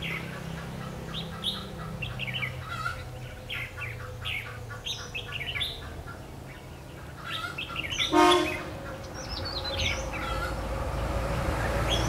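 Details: Red-whiskered bulbul during trapping on 21 March 2016, giving rapid chattering whistled notes over heavy low background noise, with a sharp click partway through followed by more scattered phrases.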